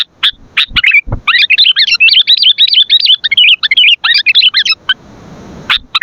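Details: Sooty-headed bulbul singing vigorously for bird training and luring: a few sharp chips, then a fast, continuous chattering run of bubbly, wavering notes lasting about four seconds, ending in hiss and one more chip.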